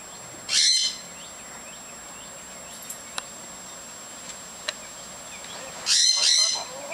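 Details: Pet lorikeets outside while their cages are cleaned, chattering a lot: two harsh, grating screeches, one near the start and one near the end, with a faint steady high whine and a few soft clicks between.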